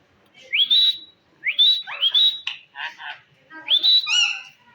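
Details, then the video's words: Pet Indian green ring-necked parrot, known for talking, producing quick upward-sweeping whistles that hold a steady high note, several in close succession, followed by short broken chatter and a harsh nasal squawk at the end. "amazing Indian Green ring neck talking parrot speakin"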